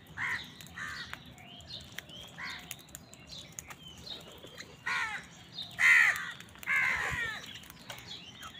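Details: Crows squabble with wild birds for food, calling in a run of rough, nasal caws roughly once a second, some short and some drawn out, growing louder toward the end, with thin chirps from other birds.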